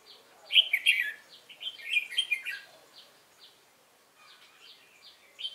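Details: Newly caught Red-whiskered bulbul performing competition fighting song, 22 October 2018: dense, fast warbled phrases filling the first half, then a quiet stretch of soft ticking notes before a short final call.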